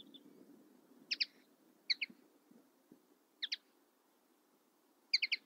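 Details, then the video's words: Common linnet: four short groups of crisp, high chirps, doubled or tripled, spaced over several seconds, with faint low rustling noise underneath. "Common linnet 1h bird sound"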